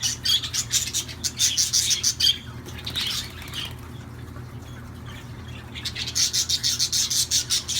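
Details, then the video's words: Budgerigars chattering in rapid scratchy ticks and squeaks. The chatter breaks off midway for a couple of seconds of softer, faint sounds, then the fast raspy pulsing resumes, with a low hum throughout. "تغريد طيور الحب"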